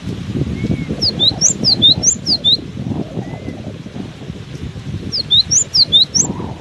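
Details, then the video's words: Buffeted by strong wind, a cinereous tit sings long phrases of about eight bright high notes alternating up and down, twice, with faint soft whistles from another bird under loud wind rumble. "Diterpa angin kencang! burung gelatik batu ini tetap gacor"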